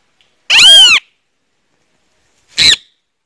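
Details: Great kiskadee giving two loud, harsh calls, a longer bending note followed two seconds later by a short clipped one, against a silent background.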